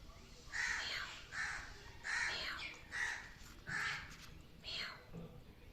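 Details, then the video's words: Pet parrot indoors giving six harsh, hoarse caw-like calls, each about half a second long and spaced roughly a second apart, over a quiet background. "Crazy Things my Parrot Says"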